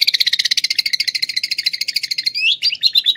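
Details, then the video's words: Canary in Klaten, Indonesia, singing lovebird-imitation phrases: a fast, dense, chattering trill running about two seconds, then a few slurred, rising whistled notes. "kenari isian love bird"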